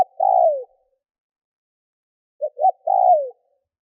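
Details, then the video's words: Decoy spotted dove cooing to draw wild doves; the tail of a long falling coo opens, then after a pause comes a full phrase of two short hooting notes and a sustained, gently dropping coo. "CU GÁY MỒI THÚC GÙ KÍCH BỔI NHANH NỔI - TIẾNG CHIM CU GÁY KÍCH BỔI"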